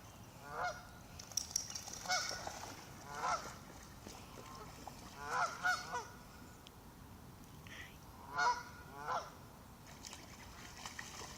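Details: Ducks swimming farther from a lake shore after someone arrives call in alarm: scattered harsh honks, some in close pairs, separated by quieter stretches with low background hiss.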